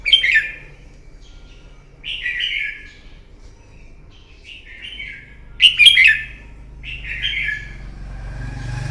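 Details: Red-whiskered bulbul, a wild-caught bird, singing its morning fighting song, used to train and stimulate other bulbuls. Five loud, warbling whistled phrases about every one and a half seconds, with a louder, more complex burst near the middle. A faint low hum sits underneath.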